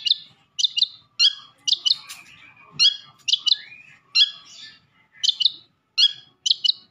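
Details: Madura long-tailed shrike in masteran song with fill-in phrases: clusters of high, crisp chattering notes in groups of two or three, mixed with softer lower warbled slurs, over a quiet background.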